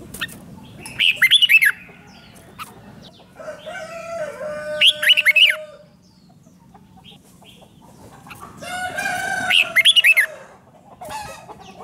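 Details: 'Rik' style song of a red-whiskered bulbul, played to get caged birds excited: three quick phrases of jumpy whistled notes spaced about four seconds apart, interleaved with lower chattering calls from other birds.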